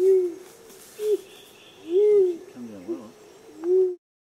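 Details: A rose-crowned fruit dove in Australia gives soft, low hoo notes, each slightly arched in pitch, about once a second; a brief murmur, possibly a human voice, falls between them.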